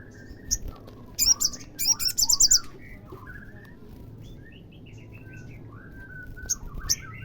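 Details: Olive-backed sunbird singing to provoke a caged bird: a few high chips and two quick bursts of rapid high notes, with gentle lower whistles and warbles from other birds through the rest.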